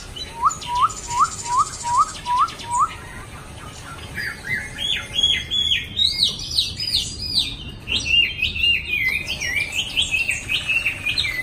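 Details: Chinese hwamei kept in a cage in Hanoi, Vietnam, on sale, opening with a series of about seven repeated rising whistles, then launching into higher, varied looping whistled phrases over steady background noise.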